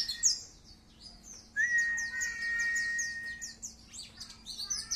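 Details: Dakun white-eye singing relaxed 'wit wit' bursts with its tail spread, kept as a lure and tutor for young birds. Rapid high chirps repeat over a long level whistle lasting about two seconds, with a faint steady hum in the background.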